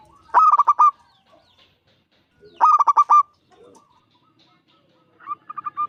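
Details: Big-voiced five-year-old local zebra dove used to draw other doves into song; two loud phrases of quick stuttering notes, about two seconds apart, then a softer trailing cooing series.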